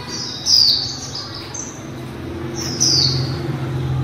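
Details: Female white-eye in 'líu' song: two loud bursts of high, thin, descending whistles about two seconds apart, linked by quieter high twitters, with a low steady hum underneath.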